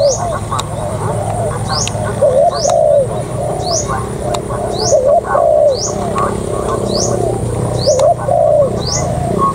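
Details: Spotted dove used as a ground decoy bird, cooing: two-part low coos, a short rising note then a longer falling one, repeated about every one to two seconds, with a steady low hum and thin high rising chirps.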